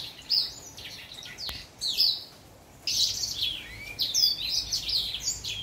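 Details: Young orange house finch singing a jumbled warble of chirps, slurs and buzzy notes, broken by a pause of near silence mid-phrase, over faint background noise and a brief click.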